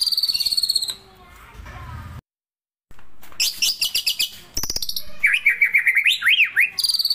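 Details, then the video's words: A White-rumped shama sings in the morning, with rich, varied phrases: clear high whistles, rapid chattering bursts and sliding warbles, broken by a brief pause. "PANCINGAN MURAI BATU PAGI HARI"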